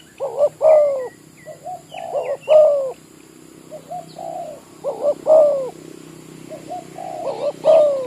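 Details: Decoy spotted dove from a village, kept to lure wild doves near oil palms in Malaysia, repeating rhythmic coo phrases with quieter short coos in between, while other small birds chirp faintly in the background.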